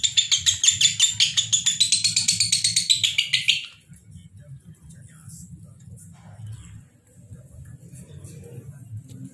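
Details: Lovebirds, two pairs, calling without pause in a rapid series of about two shrill, harsh notes per second for roughly four seconds, then quieter faint chatter over a steady low hum.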